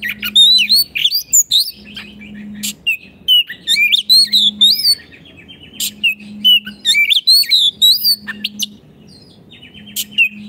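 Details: Oriental magpie-robin in full 'gacor' song for training silent caged kacer: bursts of rising whistles, trills and sharp chattering notes in repeated phrases, over a steady low electrical-sounding hum that stops and starts.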